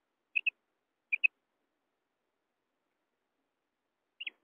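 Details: Common quail giving crisp doubled high notes, two quick pairs less than a second apart, then a pause and a single downward-slurred note, with no other sounds around.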